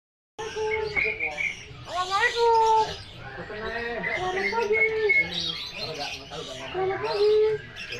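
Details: Talking bird imitating human speech, with voice-like harmonic phrases that rise and fall in bursts across about eight seconds. The phrases follow a greeting and a recited call to prayer.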